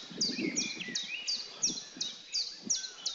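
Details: European robin male displaying to a female after she has received a tasty morsel: sharp, very high downslurred chips repeated roughly every third of a second, with soft rustling below.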